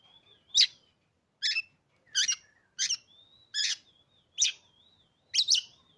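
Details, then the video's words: A steady series of seven loud rasping notes from a caged Oriental magpie-robin, one roughly every three-quarters of a second, with soft wavering whistles running between them. "Cocok untuk memancing Emosi burung kacer"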